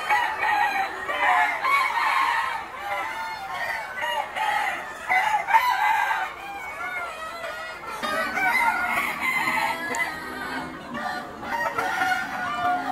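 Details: Noi, bantam and crossbred chickens kept free-range in a large yard, eating greens and insects: repeated arched calls and crowing-like cries over heavy clucking, the flock noise dipping briefly near the middle, then resuming.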